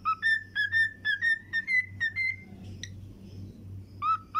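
A cockatiel whistles a quick series of clear, slightly rising notes, pausing before starting again.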